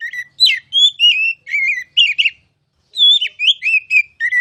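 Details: Loud, varied oriental magpie-robin (kacer) song for master training: clear whistles, dipping slurs and quick warbles, broken by a short silence midway.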